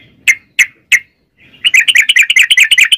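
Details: Yellow-vented bulbul song used as a lure to prompt other bulbuls to sing: three separate sharp chirps, a short pause, then a long, fast, rolling run of bright chattering notes repeated more than twice a second.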